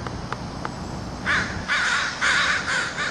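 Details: Crows gathering in the city to feed: a few faint clicks, then five loud, raspy caws in quick succession about half a second apart, over a low background hum.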